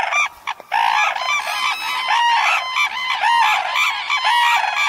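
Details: Red-crowned cranes wintering in a flock near Tsurui village by the Kushiro wetlands, eastern Hokkaido, gathered at a feeding site in snow: loud, bugling trumpet calls with ringing harmonics, overlapping continuously from many birds.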